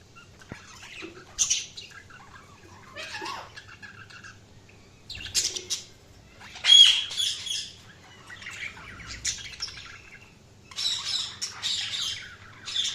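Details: Budgerigars chirping in separate bursts of bright, buzzy chatter with short whistled notes, quiet gaps of a second or two between each burst.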